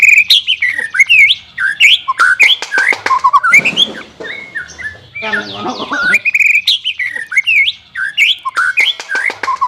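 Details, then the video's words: Song of a white-rumped shama, played to train a reluctant singer. It is a fast string of bright, sharply slurred whistles and clicks, broken mid-way by a harsh, scratchy burst before the clear whistling resumes. "CARA MELATIH BURUNG MURAI BATU MALES BUNYI"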